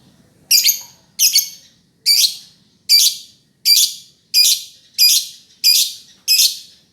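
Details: A lovebird repeats ten high, rasping chirps at a steady rhythm, one about every 0.7 seconds, against a quiet background.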